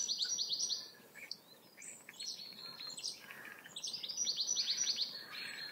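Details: Chaffinch song: fast, high rattling trills of rapidly repeated notes, one phrase opening the recording and another longer run near the end, with softer chirps from other birds in between.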